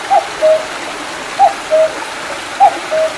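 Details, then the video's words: By a mountain stream after rain, July 2019, a cuckoo gives three crisp two-note cu-coo calls, a higher note then a lower steady one, about 1.2 seconds apart over rushing water. "뻐꾸기 소리(Sound of a small stream and a cuckoo)"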